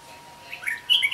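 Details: Red-whiskered bulbul beside a house, giving a brief burst of bright, high chirping notes that climb and sharpen toward the end, over a faint steady hum.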